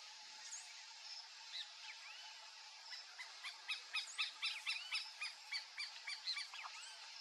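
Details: Turquoise-fronted amazon (Amazona aestiva) giving quick, squawky, harmonic notes about four per second, growing louder in the second half, over a steady insect-like hum.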